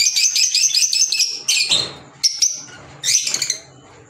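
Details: Green Fischer's lovebirds kept as pets: quick high chirps in series, then isolated sharp squeaky bursts with quiet gaps and a soft fluttering rustle between them.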